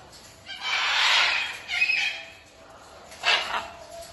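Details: Macaws playing with a carousel toy at Flamingo Land; one gives three harsh, raspy squawks over about four seconds: a long grating one, then two shorter bursts. A faint background hiss runs throughout.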